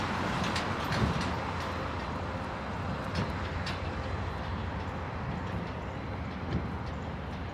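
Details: Steady rumble of passing vehicles and train-like urban noise, with no animal calls.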